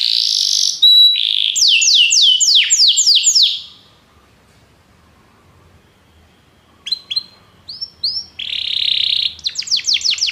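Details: Belgian canary singing to stimulate other canaries: a buzzy tone and cascade of falling whistled sweeps, then a pause of several seconds, resuming with chirps, a buzz and more rapid falling notes.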